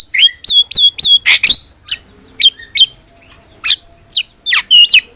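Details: Javan myna singing vigorously in a tutor recording for training cagebirds: a string of short hooked whistles and sharp chips, several sliding down to a held whistle, then bursts of harsh rasping notes, with quiet pauses between.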